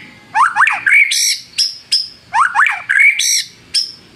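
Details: White-rumped shama song used as a lure to provoke rivals. A phrase of quick descending slurs, a bright whistle and harsh buzzy notes is repeated twice in a row.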